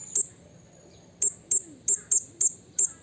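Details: Blue-crowned hanging parrot in the wild calling to a rival, uttering sharp, clipped, very high single notes at irregular intervals, seven in three seconds, with a soft murmur of background noise.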